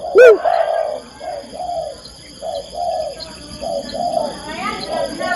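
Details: Female spotted dove calling the male: one loud, sharp coo at the start, followed by a steady run of soft, low, muffled coos of even pitch.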